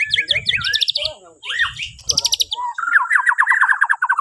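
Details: Morning song of a Borneo white-rumped shama, used to prompt other birds to sing: quick whistled notes and trills, a swooping phrase, then a steady string of repeated chattering notes, with low rumbling underneath.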